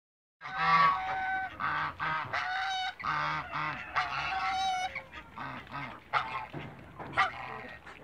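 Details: A pair of African geese in a backyard giving loud, harsh honks in rapid, overlapping bursts, each nasal blast with a rich layered tone, repeated steadily for about eight seconds with brief gaps between calls.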